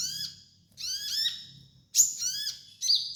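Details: Training master of sunbird song: ringing high notes, each sliding down in pitch, delivered in four irregular phrases with gaps of about a second.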